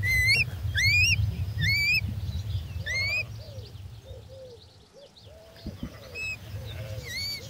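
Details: Three-day-old little owl chicks calling for their mother in June 2024 give loud, rising, slightly nasal whistled cheeps, several in quick succession then again after a pause, over softer low arched notes and a steady low rumble.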